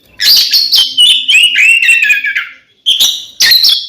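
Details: Fighting song of a kacer, the Oriental magpie-robin, used to stir up rivals: rich descending whistled phrases with scratchy overtones, then a pause and two loud strident bursts.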